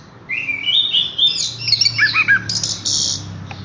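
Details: Horsfield's bush lark song: a rising whistled slur leads into fast tumbling chirps and trills, ending in a burst of high buzzy notes.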